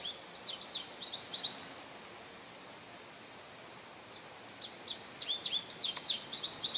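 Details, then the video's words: Song of a male Indigo Bunting, recorded May 25, 2022 at St. Johns Conservation: two high phrases of sharp downslurred and paired notes, separated by a quiet gap of about two and a half seconds. "Indigo Bunting Song"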